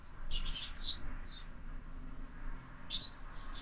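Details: Sparrows at a feeder mounted on a window give a few soft chirps on a morning of feeding: a small cluster early, one more, then a sharper pair near the end over low rumble.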